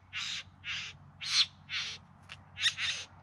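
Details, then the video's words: Bowerbird courtship singing recorded in September 2020 in the Yarra Valley outside Melbourne: harsh hissing chatter notes in a steady sequence, one brief click-like note, then a quick doubled burst at the end. "Bowerbirds Singing and Dancing"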